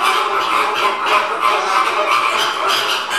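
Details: A flock of American (Caribbean) flamingos being fed keeps up a dense, overlapping chorus of nasal, goose-like honks, several each second, with no pauses.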